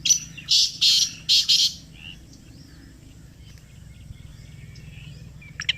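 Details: A Black francolin calls in response to a played call: a loud, harsh, grating phrase of about five rasping notes in under two seconds, followed by quiet with faint distant bird chips.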